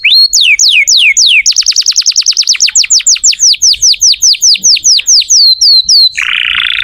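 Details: Canary in full song, played to prompt young or silent canaries. Clear, swooping downward-slurred whistles repeat steadily, speeding into a fast run, then slowing again before ending on a short buzzy note.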